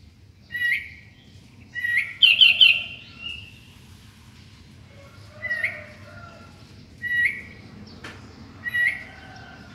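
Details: A sooty-headed bulbul sings at dawn. Bubbly, chattering whistled phrases come in irregular bursts every one to two seconds, one of them a quick run of rolling notes. A faint click is heard near the end.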